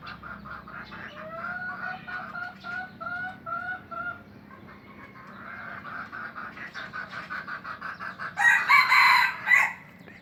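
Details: Junglefowl in captivity in Aceh: a run of short, repeated harmonic notes for about three seconds, a quieter stretch of chatter, then a loud, grating crow of roughly one and a half seconds near the end.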